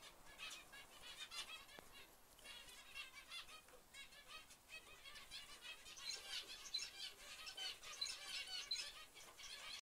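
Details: White zebra finches give a busy stream of short, nasal, high-pitched calls that overlap without pause; filmed in 2011.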